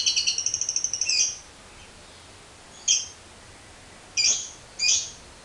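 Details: Lovebird opening with a brief rapid high trill that ends in a squawk, followed by three separate harsh, shrill squawks spaced about a second apart.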